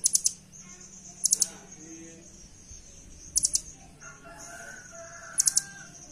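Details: Velvet-fronted nuthatch, known locally as rambatan, recorded as a master song for tutoring birds at home; brief, very high rapid triplet bursts repeat about every two seconds over a faint steady hiss, with a faint lower drawn-out call mid-recording.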